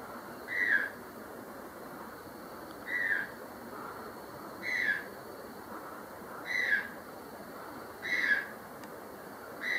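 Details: White-throated toucan (Ramphastos tucanus) calling in secondary forest at Acacías, Meta, Colombia: short, slurred yelping notes about one every two seconds over a steady high hiss of forest insects.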